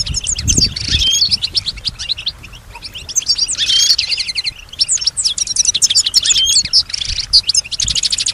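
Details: A kept European goldfinch, said to imitate surrounding sounds such as other birds, whispers and human voices, sings dense, rapid high twittering in bursts of tinkling, buzzy notes. Soft low thumps occur near the start.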